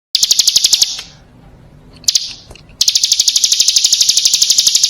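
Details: Female bar-winged prinia calling, used as a lure: fast, evenly repeated high, sharp notes in bursts, broken by a quiet gap of about two seconds, with a short faint note in between.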